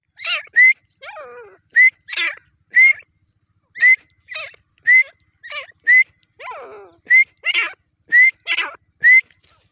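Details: Grey francolin, named locally as Irani dakhni teetar, giving short rising whistles roughly once a second, broken by lower, falling, drawn-out notes and harsh clipped calls.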